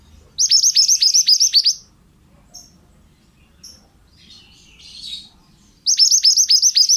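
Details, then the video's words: Male pied bushchat in full song, a master track for teaching other birds: two bursts of rapid, piercing downward-slurred notes, each about ten notes long, separated by a pause with faint soft chatter. "BURUNG MANTENAN GACOR--MASTERAN AMPUH"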